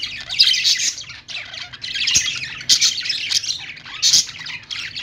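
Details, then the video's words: Several budgerigars calling in the morning, a dense, busy mix of high chirps, squawks and warbling chatter overlapping almost without pause, with a faint low hum beneath. "budgie birds morning sounds"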